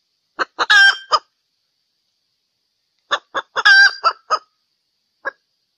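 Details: Hen vocalising during mating in valentine season: two clusters of short harsh notes, each with one drawn-out nasal squawk at its centre, followed by a final lone clipped note.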